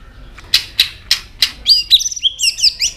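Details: White-rumped shama switching among many voices while flicking its tail: four spaced dry clicks, then a high, fast, wavering warble of thin squeaky whistles.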